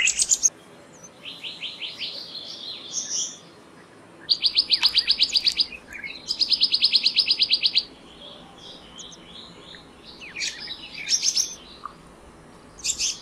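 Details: Black-naped monarch giving two rapid bursts of high, evenly spaced ringing notes, each about a second long, separated by a pause, among scattered chirps of other birds.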